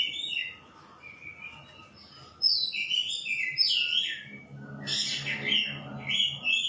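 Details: White-rumped shama song of clear whistles and rapid warbled notes, quieter at first, then loud bursts with a low background rumble.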